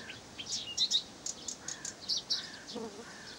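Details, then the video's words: Blyth's reed warbler from Pavlodar giving a busy chattering song: high chips and twittering notes in quick succession, mixed with a few lower drawn notes, over gentle ambient hiss. "НА КОНЦЕРТЕ САДОВОЙ КАМЫШЕВКИ"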